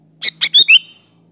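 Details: A lively sooty-headed bulbul phrase, played as a lure so other bulbuls reply: four fast, clipped notes in under a second, the last two sliding and whistled, with a faint low hum underneath.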